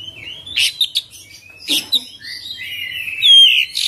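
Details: Oriental magpie-robin singing a full, varied song with filled-in phrases: sharp chirps, then a long sustained whistled note sliding gently upward, with brief bright notes and a burst of harsh chatter.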